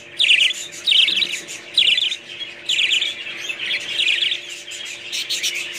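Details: Budgerigars with loud, scratchy chirp phrases, several in quick succession and then softer, over a continuous background twitter.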